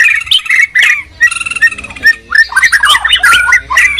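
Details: Two white-rumped shamas, from Medan and Borneo, in a song duel: short whistled notes and chattering bursts, then a busier stretch of overlapping warbles and rapid chips.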